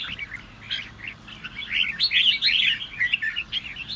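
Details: Red-whiskered bulbul song aimed at stirring other birds to sing: softer opening chirps build into a louder, dense warbling passage midway, then taper off.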